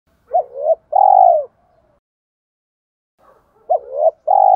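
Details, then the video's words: Spotted dove cooing in the giọng thổ pha đồng style, used to lure other doves: two low cooing phrases, each a short hooted double note followed by a longer, smooth, slightly falling coo, separated by about three seconds of silence. "tiếng chim cu gáy giọng thổ pha đồng, cu gay kich boi nhanh noi gù"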